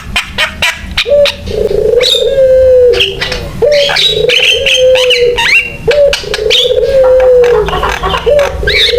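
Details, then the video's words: Javan myna singing vigorously as a lure for other mynas. Low sustained whistled notes repeat about every two seconds, separated by sharp clicks and higher chirped whistles. "JALAK KEBO GACOR BUAT PANCINGAN DAN MASTERAN JALAK LAIN SUPAYA IKUT BUNYI"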